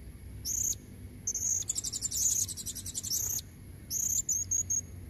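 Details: Female blue-crowned hanging parrot calling for red-necked males: a short squeak, a long harsh buzzy trill, then a tail of thin, high, rapid notes.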